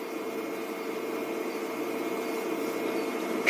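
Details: Low droning hum and a thin steady high tone continue throughout, closing with a brief knock, and no animal sounds.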